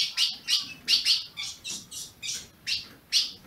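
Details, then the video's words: Ultramarine grosbeak kept in captivity in Brazil chirps rapidly. Loud, bright chip notes come in pairs and singles, roughly two to three a second, in a quiet setting. "Azulão piando, 30 min. para esquentar seu azulão"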